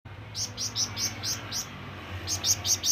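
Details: Flamboyan bird calling to draw companions or rivals: a run of sharp, high, chirping notes about four per second, pausing briefly before another quick series, over a low steady hum.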